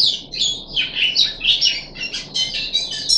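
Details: Caged puff-backed bulbul, 14 July 2021, third deworming day, giving a rich burst of rolling, warbled high notes that dip and rise, packed closely together; only a low hum behind.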